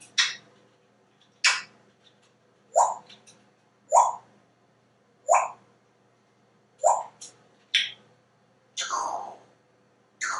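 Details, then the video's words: Male African grey parrot kept in a Texas home, imitating sound effects such as kisses and dripping water: a string of short, hollow drip-like plops about once a second, each falling quickly in pitch. "Einstein Parrot practices his amazing sound effects"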